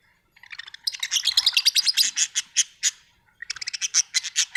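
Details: Pet budgies produce a rapid chattering warble of fast repeated clicky, buzzy notes, many per second, with a brief pause before resuming.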